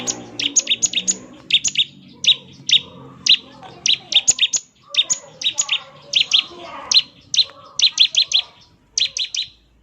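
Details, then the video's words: Energetic Bar-winged prinia in ngebren style, a song used to draw replies from other prinias: continuous sequence of buzzy, stuttering high bursts in groups of two to four, with soft lower murmuring in the background. "ciblek gacor, suara NGEBREN seperti ini paling ampuh bikin ciblek IKUT nyaut"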